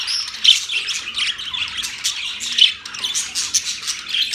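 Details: Birds on October 3, 2023 giving lively high chirps and squawks, with a few loud sharp calls standing out against a soft background of twittering.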